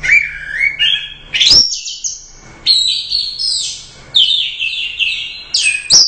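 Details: Prize-winning orange-headed thrush from a Royal Cup contest singing gacor: rising whistled phrases climbing in pitch, then varied high warbling bursts with buzzy trills, separated by short pauses.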